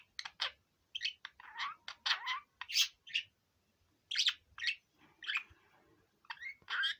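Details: Male budgerigar, five years old, a pet let out to fly, chatters a lively song of rasping chirps, squeaks and short rising whistles in uneven bursts, pausing briefly midway before resuming.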